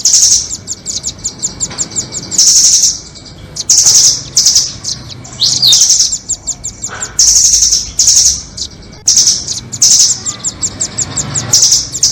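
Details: Lure recording for catching nuthatches, pairing doraemon and red-billed nuthatch calls: bursts of fast, very high rattling trills about a second long, separated by rows of sharp ticking notes, repeated throughout.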